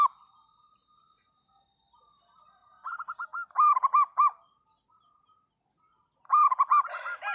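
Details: Local zebra dove singing actively and loudly: a few soft low coos, then two bursts of rapid, arched cooing notes, about four to five in quick succession, over a steady high-pitched whine.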